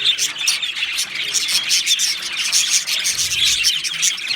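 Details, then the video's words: Two male Australian budgerigars chirping: a dense, continuous chatter of high, scratchy chirps and short warbled notes overlapping without pause, with brief bright whistled tones standing out above the stream. "2 Male Budgies Birds Sounds | Australian Budgies Birds chirping sounds"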